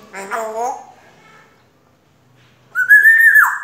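Grey parrot giving a short, speech-like utterance, then after a pause a loud, clear whistle held steady before dropping away at the end.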